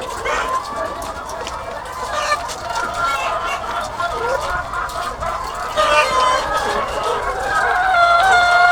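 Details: Egg-laying chickens, thousands on a farm, a muddled chorus of clucks and a few thin, high cackles, growing louder toward the end.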